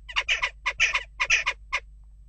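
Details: Unrest at a nest box brings a rapid chatter of loud, raspy jackdaw calls, several doubled or overlapping, in quick bursts before fading to quiet in the last half second.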